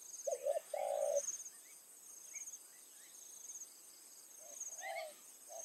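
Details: Evening decoy spotted dove cooing to lure wild doves at a rice field. A strong phrase of short coos and a longer note opens, then fainter coos follow near the end, with a thin insect whine throughout.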